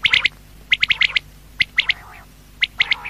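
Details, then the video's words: Quail calling at night: sharp, high chirped notes delivered in quick clusters of two to four, the clusters separated by short pauses, with a few softer, lower buzzy notes between them over a quiet background. "Quail|Night|Best|Sound| Batair Awaaz"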